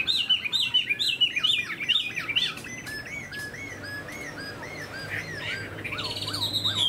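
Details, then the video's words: Chinese hwamei, a tame caged bird with a spread tail: a loud series of rich looping whistles repeated about twice a second, easing into slower, evenly spaced arched whistles and ending with higher rising notes, over a low hum. "Chim họa mi thuần đuôi xòe"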